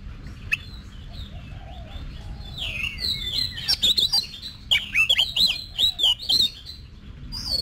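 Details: Oriental magpie-robin in training for competitive singing performs a quick run of bright, varied whistled and chirped notes after a quiet start, broken by sharp clicks.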